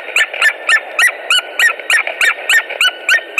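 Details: At a Latvian white-tailed eagle nest in March, during a mating attempt, the eagles give steady, shrill yelps, each a short bright bark, repeated roughly three to four per second in a regular rhythm.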